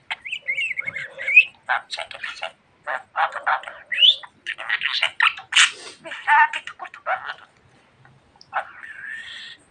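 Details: Pet budgerigar talking a lot, mixing short whistled glides with fast raspy, speech-like chatter and brief pauses.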